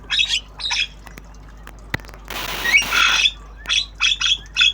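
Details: Tame Javan myna practising sounds, obyogan style: rough grating squawks in quick pairs, a long noisy hissing burst mid-way, then more short harsh notes repeated roughly every half second.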